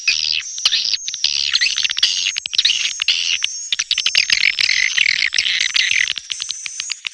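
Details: Neutral-style swiftlet recording: constant high twittering and squeaks with a thin, wavering whistled tone drifting across the top throughout.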